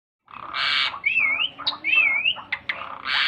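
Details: Asian pied starling singing vigorously while flapping its wings: harsh broadband squawks open and close a run of wavering, warbled whistles and short sharp notes, loud and varied throughout.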